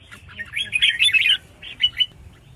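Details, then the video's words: Red-whiskered bulbul female in a cage calling to set males singing: a dense scratchy chatter of chirps followed by two crisp separate notes. "Chào Mào Mái Kích Trống"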